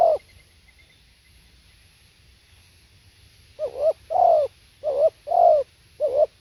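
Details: Spotted dove song, with a coo ending at the start, silence, then a run of deep hollow double coos, the first note shorter and wavering, the second fuller and slightly falling.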